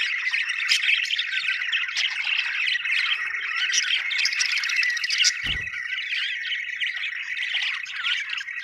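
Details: Several happy budgerigars warble and chirp nonstop, a scratchy, buzzy chatter with scattered clicks; a single low knock sounds midway through.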